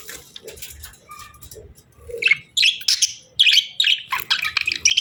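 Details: Budgies, a pair in breeding season, start with soft low murmurs and then break into loud, high, scratchy chirps and warbled chatter in rapid uneven bursts.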